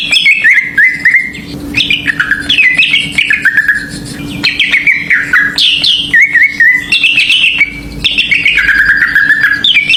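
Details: Greater green leafbird song used as a lure to provoke other birds: loud, varied whistled phrases of sliding and warbling notes, rapidly delivered in bursts with brief gaps, over a steady low hum.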